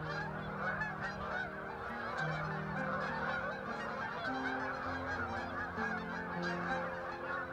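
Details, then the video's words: Geese in flocks passing over Lake Okabena, Worthington, Minnesota, give a constant wash of overlapping honking from many birds, above shifting low steady hum-like tones that change pitch every second or two. "Geese Over Lake Okabena"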